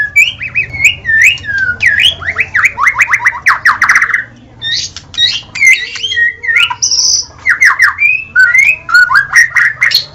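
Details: White-rumped shama (murai batu) delivering a long varied song of rapid rising slurred whistles in quick runs, broken by a pause, then more sweeping notes and a short high buzz.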